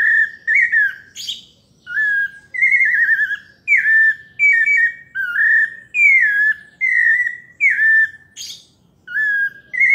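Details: Close, loud paulista song of a pale-breasted thrush: a long run of rich whistled phrases, many trilled or wavering and mostly falling in pitch, separated by brief pauses, interspersed with a few short sharp chirp-like notes.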